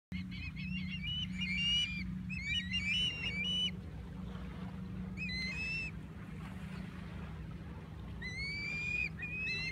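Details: Osprey with nestlings calling: series of thin, high, slightly rising whistled chirps in short bursts every couple of seconds, over a steady low engine-like hum.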